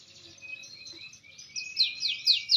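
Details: Green canary, maturing, begins with faint thin warbling, then breaks into several loud sharply falling whistled notes in quick succession.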